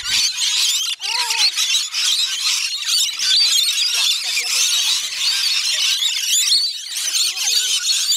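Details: Feeding rainbow lorikeets at Bungalow Bay Koala Village on Magnetic Island, Queensland, Australia: a thick wall of piercing squeals and chatter from a crowded flock, with faint voices beneath.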